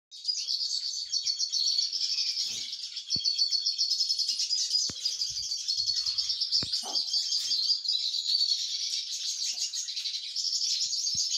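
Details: Copper mosaic canary female tending her chicks; a continuous, dense, high-pitched wheezy chorus of begging chicks, buzzy and trembling without a break, with occasional soft clicks and knocks in the nest.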